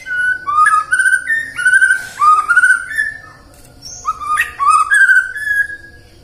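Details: White-rumped shama song to prompt singing in the morning, midday and afternoon: mellow whistled phrases rising in steps, repeated in two bouts separated by a short pause, with a few high accents.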